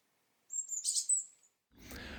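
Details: European robin; song; establishing winter territories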